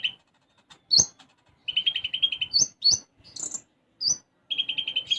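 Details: Caged sunbird singing a lively song with sparrow-like phrases worked in: buzzy rattled trills alternate with sharp, high, slurred chirps and short squeaky notes, and there are brief pauses between phrases.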